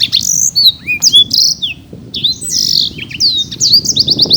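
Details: Black-throated canary, a caged champion songbird from Bekasi, delivering high, bright whistled phrases with upward slurs and buzzy notes in quick succession.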